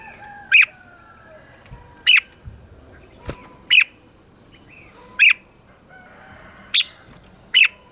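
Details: Morning song of a red-whiskered bulbul, used for voice training: short bright whistled notes repeated about every one and a half seconds, fairly evenly spaced, against quiet surroundings.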